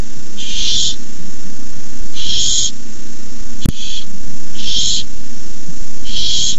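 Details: Owlets of the Barn owl at a nest, filmed at 9:57 pm on 18 May 2015 when an adult arrives with a rabbit; five rough hisses spaced about a second and a half apart, one sharp click between, low hum beneath.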